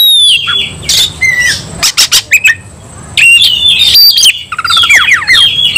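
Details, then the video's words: White-rumped shama singing aggressively in a fight: sharp whistles and descending slurs mixed with harsh bursts and a rapid stuttering trill near the end, with short gaps between phrases. "kacer langsung KONSLET tarung ngotot full emotional"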